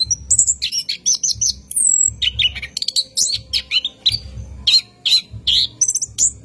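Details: Orange-headed thrush singing at night, a lure recording for training cage birds in a long rolling 'ngerol' style: rapid high whistles, trills and sweeping notes in quick succession, with soft low thumps recurring underneath.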